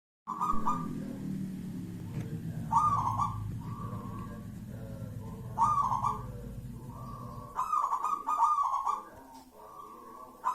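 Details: Wild local zebra dove cooing in a series of bright, slightly rippling phrases, each a burst of quick notes followed by a held tone, with a low rumbling background.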